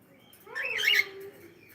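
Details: Pet cockatiel giving one drawn-out, rising then falling squawking call lasting under a second, loud and harsh, in a quiet indoor room.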